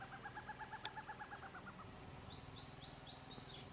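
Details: Forest Owlet in hill area near a main road with teak and Mahuda trees, Valsad District, Gujarat, gives a fast run of about sixteen short, even, mid-pitched notes; another bird then adds several high, thin, downslurred chirps.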